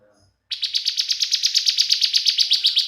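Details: Bar-winged prinia (ciblek), a young bird, its song used as a lure to get other prinias singing: after a brief pause a sustained rapid trill of high, buzzy pulsed notes, about six per second, steady and loud throughout.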